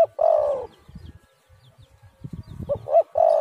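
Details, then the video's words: Spotted dove (tekukur, derkuku) cooing, used as a lure to make other doves call; low hollow coos with a short rising-falling note between them, plus soft low thumps in the background. "tekukur super gacor suara burung derkuku"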